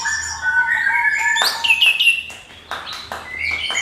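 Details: Orange-headed thrush singing a crystal-clear lure song meant to provoke other birds into singing: varied whistled phrases around mid pitch, then sharp high notes and quick rising strokes, with a faint low hum behind.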